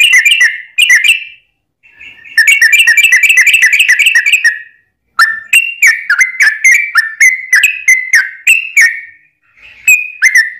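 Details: Long song of a yellow-vented bulbul, played to make other bulbuls answer: bubbly whistled phrases, a sustained rapid warbling run, then a string of quick descending notes about three per second.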